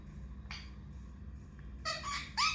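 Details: A pet Indian ringneck parrot (rose-ringed parakeet) that mimics words gives a brief nasal note, then two quick, voice-like squawked syllables, the last rising sharply, over a low indoor hum.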